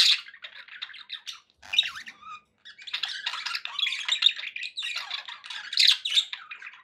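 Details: Pet budgerigars kept as companions, chattering in a dense run of scratchy, warbling chirps and squeaks. The chatter breaks for a short pause near the middle, where a brief clear whistled note is heard, then resumes busily to the end.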